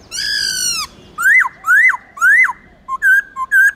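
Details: Many-voiced black-throated laughingthrush song, played to spur captive birds into singing: a long, drawn-out falling harmonic note, then repeated rising-and-dropping whistled loops, ending in short choppy whistles.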